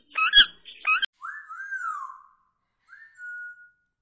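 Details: Indian ringneck parrot kept as a pet: two harsh, raspy squawks, then a smooth, drawn-out whistle that rises and falls, and a shorter, level whistle after a pause.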